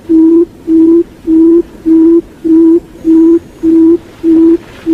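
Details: A decoy quail gives low, hollow hooting notes, each about half a second long, repeated steadily almost twice a second. Little else is heard.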